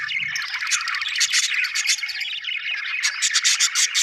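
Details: Budgerigar chirping: dense, continuous warbled chatter with bright squeaky notes and sharp high ticks, loudest in bursts near the end.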